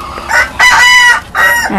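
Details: A bantam rooster at a Thai bantam-breeding farm crows in three bright, harmonic-rich bursts, the middle one held longest, with a faint low sound at the end.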